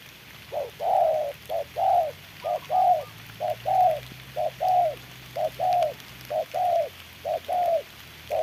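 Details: Spotted dove decoy used for trapping, facing a wild bird in the rain; a regular series of coo pairs, short then long, about one pair every second, with a faint higher note early and quiet background.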